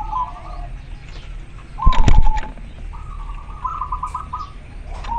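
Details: Local zebra dove male calling a female: rolling, trilled coo phrases with a loud thumping noise in the middle and steady low background rumble.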